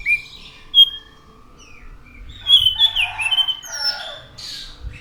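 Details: Anis macan thrush in full song: scattered clear whistled notes, then a dense run of warbling, slurred phrases with rising and falling whistles, closing with a high buzzy burst.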